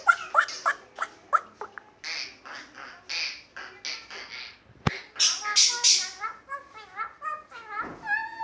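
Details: Asian pied starling, a bird able to imitate the sounds of other animals, giving a varied run of harsh squawks and short notes, then clearer whistled, wavering phrases toward the end.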